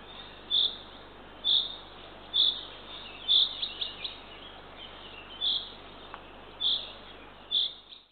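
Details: On 3 June 2023 at 6:21 am a female Eurasian eagle-owl feeds the third chick at a nest in Northern Estonia. Repeated shrill rasping notes roughly every second, with a few quick chirps after the fourth note.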